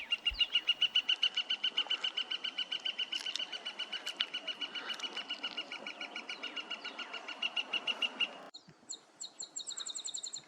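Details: Gilded Flicker in the Tucson, Arizona desert in April, identified by its call: a long, even run of loud, sharp wik notes, about three or four a second, then a brief switch to thinner, higher chirps.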